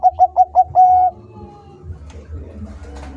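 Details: Bangkok-type zebra dove singing actively: four quick, soft cooing notes followed by one longer drawn-out coo, all at a steady medium-low pitch, then quiet background hum.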